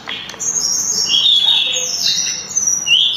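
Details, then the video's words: Sulingan, also called mountain tledekan, singing loudly and melodiously: high, clear whistled notes and short slurred phrases, some falling and some rising, delivered almost continuously. "burung sulingan atau tledekan suara merdu langsung ngelangit berkicau"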